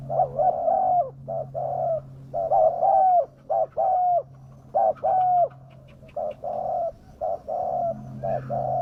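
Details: Wild doves are lured by this spotted dove cooing. It is a long run of mellow coos, mixing short notes with longer falling ones, nearly continuous, over a low droning background.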